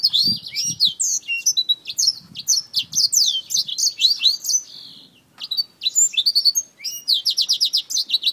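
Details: While fighting a finger, a black-throated finch utters rapid runs of high, thin chirps and quick slurred notes in tight series, breaking off briefly near the middle before resuming, with faint low bumps underneath.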